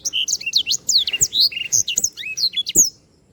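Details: Black-throated canary (sanger) singing energetically as a tutor recording for training birds: a rapid run of high, sweet whistled notes and slurred chirps that swoop up and down, with a few soft clicks underneath.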